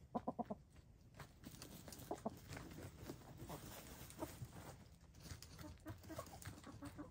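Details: Hens of gray, lavender, blue and black colouring dust bathing together: a quick burst of soft, harmonic clucks at the start, then scattered quieter notes over steady low scratching and rustling of dirt.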